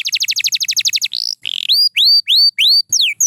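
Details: White canary song: a quick run of high trilled notes, a buzzy phrase, then loud rising whistled notes repeated about every third of a second and a final falling slur.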